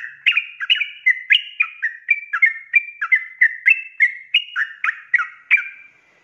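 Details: Sooty-headed bulbul singing ropelan style for cage-bird training, rapid whistled phrases of alternating high and low notes over about five and a half seconds, then fading into silence.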